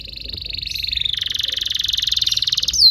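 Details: Canary singing a training song for young canaries: a loud, rapid, evenly pulsed trill that builds in volume over nearly three seconds, then slips into a slightly lower, denser roll before ending on a sharp high note.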